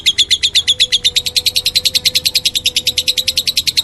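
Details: Very rapid, almost trilling run of high, harsh chirps from a lovebird, close to nine per second, unbroken throughout, with a faint steady tone underneath.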